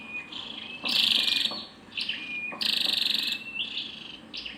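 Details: Calls of a female scarlet-backed flowerpecker, two rasping high bursts with thin level whistles and brief sharp ticks between them.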